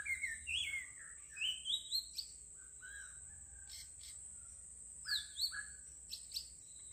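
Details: Bird singing a melodious song: a run of quick rising and falling whistled notes, then scattered chirps and paired downslurred whistles later, over a constant high-pitched hum in the background.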